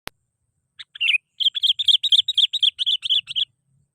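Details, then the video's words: Sooty-headed bulbul lure call: after a single click, a rapid run of short bright chirped notes, about a dozen in under three seconds, each note slightly rising and falling, clean and uninterrupted. "SUARA PANGGILAN BURUNG KUTILANG GACOR"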